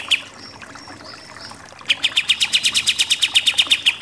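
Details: Pied triller in 'nembak-nembak' song, used as a master for contest birds. After soft faint whistles, a loud sequence of fast, sharp, repeated notes bursts in and continues steadily to the end.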